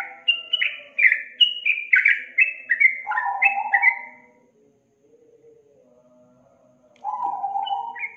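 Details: Yellow-vented bulbul lure song, used to stir a young, reluctant bird into singing: rapid bubbly, chattering whistled notes stepping down in pitch over four seconds, then a pause and a lower warbling phrase.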